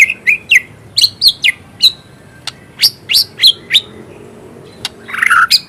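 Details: Caged white-rumped shama singing in lively form with full mimicry fill: sharp whistled upslurs and clear notes in quick bursts, a pause, then a harsh buzzy ending.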